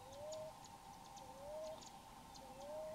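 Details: Common ground dove (Columbina passerina) singing from a tree in the wild in Florida: soft, low, rising coos, each about half a second, repeated roughly every second, over a steady background hum and faint high ticking.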